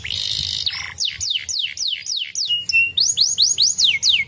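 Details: Canary song played to stimulate other canaries to sing: a harsh buzzy opening, then a series of clear high whistled slurs, each sweeping down, about two per second, with a brief steady whistle before faster rising-falling notes.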